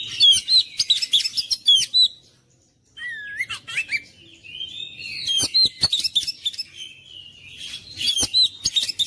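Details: Kacer song intended to rouse quiet birds into nonstop singing: rapid whistled and chattering bursts, a near-silent second-long break, then a downward-sliding whistle and renewed loud varied phrases.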